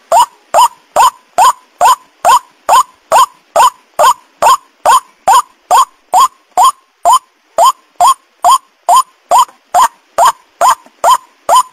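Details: White-breasted waterhen call played as a lure to draw the birds in: harsh, croaking notes repeated steadily about twice per second, twenty-five in a row, each sharp and abrupt, with nothing else audible in the background.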